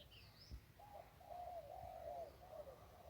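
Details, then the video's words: Zebra dove singing khu ang style at a riverside tree along the Ping in Lamphun, Thailand, a deeper round, hollow voice farther off; after a click, a sustained rolling string of mid-pitched coos with small dips, brief high chirps at the start. "นกคูอ่างเจ้าเสน่ห์ริมปิง ได้นกโล่ง 1กุกขันเพราะๆ"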